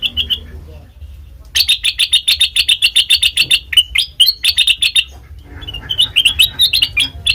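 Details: Black-crested bulbul recorded as a trapping lure and tutor song: a short phrase, a pause, then fast runs of bright, clipped chirps repeated about four per second, ending in rising, warbled notes, over faint low hum.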